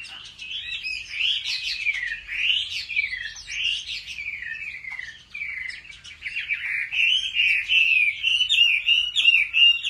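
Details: Competitive song of a Chinese hwamei kept and trained at home: a long, loud stream of swooping whistles and trills, varied phrases flowing one into another, ending with rapid bright notes.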